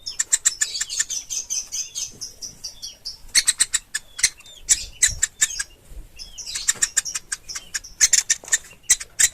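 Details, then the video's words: Woodpecker nestling, known locally as pelatuk ulam. Thin, high chirps repeat in quick bursts, broken by sharp clicking and rustling. A short pause comes midway, then the chirping resumes. "Suara Anak Burung Pelatuk Ulam"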